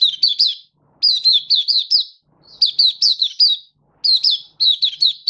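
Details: Kept oriental white-eye (Mata Puteh) in happy 'buka' song, 24 February 2023. Four rapid bursts of high, bright, down-slurred chirps, each burst under a second long, separated by brief silences.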